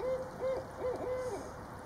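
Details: Barred Owl female calling loudly as her mate visits; a run of clear hooted notes, several held level then arched and dropping at the end, given in quick succession.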